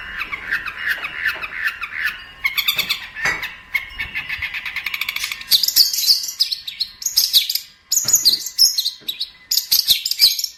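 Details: Long-tailed shrike song serving as a master for bird training: mellow warbled phrases giving way to very high, scratchy chattering bursts and buzzy notes separated by short pauses.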